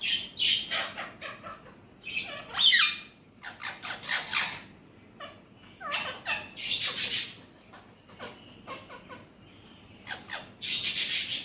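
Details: Alexandrine parakeet kept as a talking pet utters rapid, clipped syllables and louder raspy bursts, irregular and scattered across several seconds with quiet gaps.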